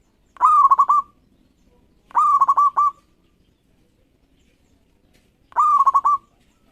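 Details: Local zebra dove in steady song, used as a lure to make competing doves sing. Three crisp, loud phrases of rapid broken cooing notes stand out against near silence, the last after a longer pause.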